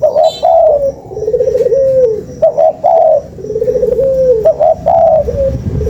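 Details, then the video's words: Lure sound of a spotted dove: steady alternation of a quick double note plus long coo and a lower wavering, slightly descending purr, about three phrases, with faint background hiss. "SUARA PANCINGAN BURUNG TEKUKUR"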